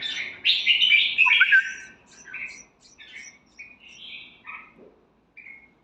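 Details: Red-whiskered bulbul giving a loud, rich warbling phrase with quick slurred whistles, then softer, separate chirped notes trailing off.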